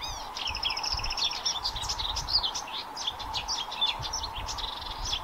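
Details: Blyth's reed warbler at Haga kile, 26 May 2024, delivering a dense, high-pitched medley of rapid chattering trills, squeaks and thin whistles with little pause, a faint steady hum beneath.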